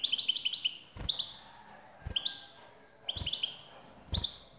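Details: Female European goldfinch calling to make the male sing: a quick tumbling run of high tweets, then short chirp clusters about once a second, each with a thud.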